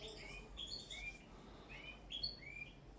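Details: Caged common linnet in its first training session for table singing: short bursts of clear twittering and whistled notes, some sliding, some rising, that start and stop over faint steady background noise.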